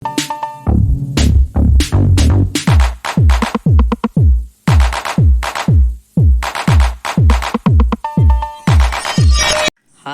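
Electronic dance music with a steady thumping drum-machine beat and synth hits; no animal sounds.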